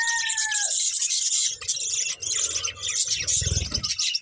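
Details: Budgerigars eating green food, a dense high chatter of many short chirps and warbles throughout, with a drawn-out whistled note near the start and low thumps of feeding or movement in the background.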